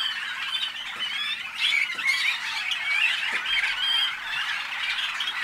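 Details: Waterslager, or Malinois, canaries hatched in North Canton, Ohio, USA, singing a dense, continuous warble of rolling, bubbling trills and wavering notes, several voices overlapping throughout with a faint low hum underneath.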